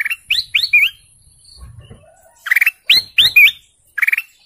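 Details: Golden canary with sharp upslurred whistles and short stuttering trills, delivered in two clusters separated by a soft low shuffling noise, then a final rapid trill.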